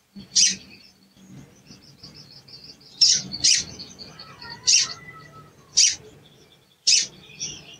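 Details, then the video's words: Cuit-cuit lure calls of a sooty-headed bulbul, used to provoke a silent bird into song: six sharp, high chirps at irregular intervals, some in quick pairs, with faint twittering between. "CUIT CUIT PANCINGAN EMOSI SOGON MACET BUNYI DAN KURANG GACOR"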